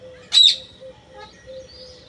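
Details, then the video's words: Parrot giving a single short, harsh squawk that rises and falls, then quiet with only a faint steady low hum in the background. "Raw parrot"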